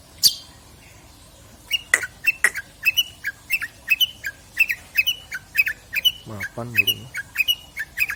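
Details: Long-tailed shrike singing, its song used as master material for tutoring other songbirds: a steady string of short, sharp chip notes repeated roughly three times a second, with a brief low nasal squawk midway.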